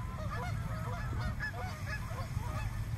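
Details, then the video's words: Many swans, over a hundred, startled in a small park; rapid overlapping honks and trumpeting notes from the crowded flock, with a deep droning noise beneath. "Flock of frightened swans"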